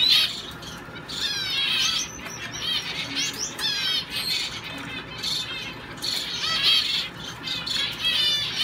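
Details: Singing male owl finch kept in a show cage while training for shows; bursts of rapid, high, squeaky twitters and sweeping slurred notes, several phrases separated by short gaps.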